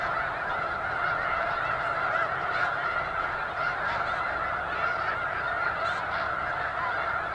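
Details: A flock of many thousands of snow geese at McNary National Wildlife Refuge near Burbank, Washington, filling the air with loud, continuous massed honking and a few clearer individual calls.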